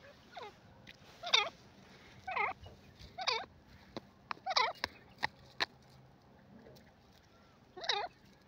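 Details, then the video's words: Irregular series of short, curving nasal calls from a grey francolin (gora teetar), with several sharp clicks in between and a pause before a final louder note. "teetar ki boli grey francolin ki masstti gora teetar"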